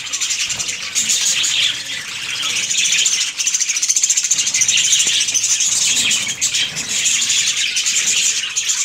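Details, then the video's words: Busy breeding colony of budgerigars giving a steady wall of high chirps, squeaks and warbled twitters that overlap without break, with a brief dip in loudness midway. "Budgies Parrot colony Progress"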